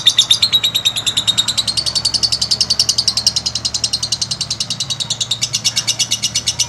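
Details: Lovebird producing a long master song to stimulate other lovebirds: an unbroken, quick series of shrill, buzzy notes, gently rising then level, lasting the whole stretch.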